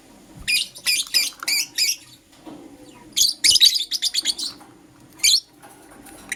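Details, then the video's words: Morning chatter of a green Personata and a yellow pastel pied lovebird: grouped runs of loud, buzzy, high chirps, a pause, then a denser rapid flurry and a final short burst. "Lovebird Chirping Sounds - Green Personata & Yellow Pastel Pied"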